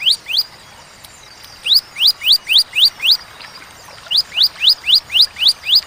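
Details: Bar-winged prinia in sharp, clear 'tembakan' song with pauses: two runs of quick upslurred whistled notes, about five per second, broken by a one-second gap; quiet hiss behind.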